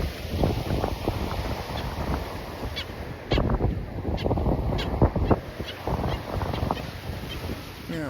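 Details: Black Skimmer dive-bombing close overhead at low tide on the beach at Lovers Key, 20 August 2025, gives short, nasal, barking calls in scattered bursts, apparently angry at an intruder, partly masked by steady wind rumble.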